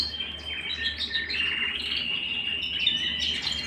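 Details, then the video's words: Canary singing at home, a continuous high warbling stream of rolling trills and twittering notes, steady and unbroken throughout, with a faint low hum underneath. "canary singing at home"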